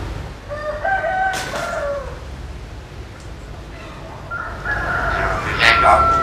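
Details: Common hill myna in Vietnam's Mekong Delta countryside imitating human speech: two bursts of voice-like, harmonic syllables, the first with falling tones, the second louder with a sharp high note, separated by quieter background hiss.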